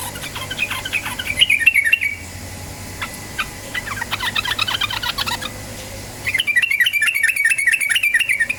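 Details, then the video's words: Yellow-vented bulbul ropel-style lure song meant to get birds singing fast: quick chattering bursts open and close the passage, with scattered sharp notes and a rattling stretch in between. "PANCINGAN TRUCUKAN BAHAN agar cepat bunyi ROPEL"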